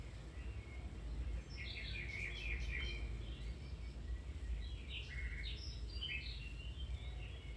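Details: Domestic canary training song: two bursts of rich, fast warbling with chirps and buzzy notes, separated by a short pause, over low continuous rumble.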